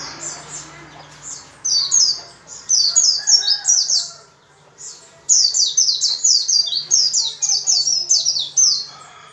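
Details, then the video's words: White-eye in vigorous, persistent song, played to quickly get other white-eyes singing with open beaks: very high, rapid chirping notes strung into dense bursts, with short pauses near two and five seconds and a faint low hum beneath. "PLECI GACOR dengan cepat membuat pleci ngalas dan pleci buka paruh"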